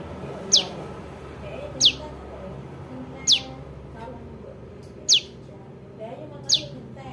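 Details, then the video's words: ['Juvenile prinia calling, recording used to lure birds into traps: five piercing high notes, each sliding quickly downward, repeated every one to one and a half seconds over faint rumble.'] "SUARA PRENJAK LUMUT [ ANAKAN ] AMPUH UNTUK PIKAT"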